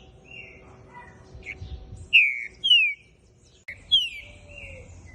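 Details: Juvenile green-winged saltator bred in captivity in Brazil, from a Pica Pau x Fogueira line, giving soft warbled notes, then loud, clear whistles that slide downward in pairs, with a lower faint whistle near the end and steady low hum behind.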